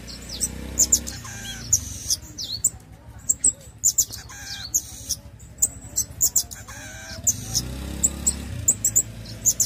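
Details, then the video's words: Singing pin-tailed parrotfinch giving high, thin metallic chirps in short clusters about once a second, separated by quieter gaps, with low background rumble. "Pin-tailed Parrot Finch Singing | Suara Burung Bondol Hijau Binglis"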